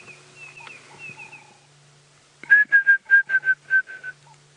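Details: A male Red-crested Korhaan calls in the distance on a sunset safari drive, 6 March 2017, while a female and chick are nearby. It gives a loud run of about eight clear whistled notes, roughly four per second, over a low vehicle hum and faint whistles from other birds.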